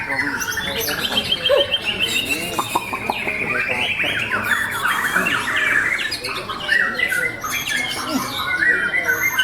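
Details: White-rumped shama singing at a bird club's 25th anniversary contest, its song made of mimicked small-bird phrases. Fast chattering trills, clipped chirps and bright rising whistles tumble on without pause over other singing birds and faint talk.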